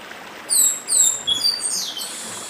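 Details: Sweet downward-sweeping whistles in quick succession from a northeastern chestnut-bellied seed finch singing dedim style, a babbling stream in the background.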